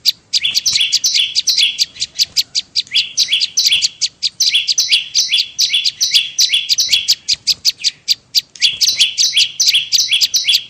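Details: Bar-winged prinia trapping lure call: continuous rapid series of two-part high chirps, a clicking onset followed by a level buzzy note, around 150 per minute, with a short pause near the fourth second.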